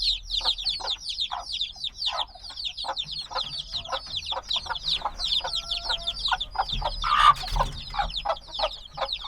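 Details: Many black chicks hatched just days earlier chirp energetically, thin high descending peeps in a steady overlapping stream, with one louder harsh burst late on before the chorus continues.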